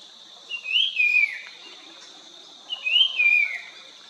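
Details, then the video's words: Puff-throated babbler singing in Nandi Hills, Karnataka, on 1 February 2022 gives two clear whistled phrases about two seconds apart, each rising then sliding down, over a steady high insect hum. "Puff throated Babbler"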